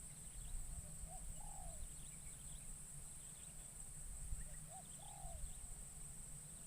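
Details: Captive spotted dove used as a decoy in forest to lure wild doves, its first time in the wild; two low cooing phrases, each a short note then a longer falling coo, over a steady high insect drone.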